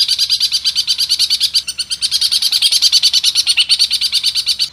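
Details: Long-tailed shrike song in a varied style with rapid long rolls: a fast, dense chattering trill of sharp high notes, about three per second, running without a break.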